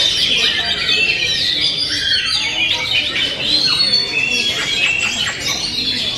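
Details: Oriental magpie-robin singing a rapid, varied string of high chirps, trills and thin whistles with little pause, while other birds call in the background throughout.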